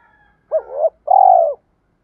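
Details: Spotted dove coo used to provoke fighting and call birds back: a wavering two-part note followed by a long, even, vibrating coo, with no background noise.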